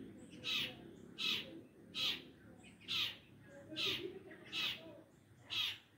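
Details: Long-tailed shrike in full, active song, giving a steady series of rasping, buzzy notes roughly every three-quarters of a second over faint low rumble.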